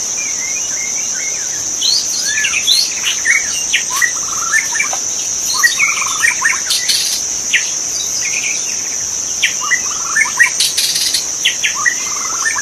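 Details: Magpie-robin singing in forest in the wild, master song for training birds: long sequence of varied whistled phrases and short chirps with brief pauses, over an unbroken high-pitched insect buzz.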